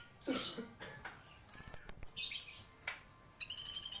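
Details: Orange-headed thrush (anis merah), described as a champion bird, giving scattered soft notes followed by two long, loud, high buzzy whistles separated by a brief pause.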